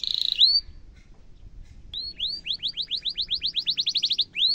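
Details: Canary with a long rolling song used to tutor young canaries: a short buzzy burst and rising whistle, a pause, then upswept chirps speeding into a quick regular trill.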